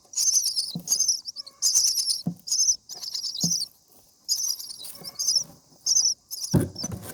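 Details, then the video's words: Nestling common mynas on day 7 begging as a parent feeds them: rasping high bursts in clusters, with soft knocks and a loud rustle of movement at the end. "Common Myna Feeding baby birds"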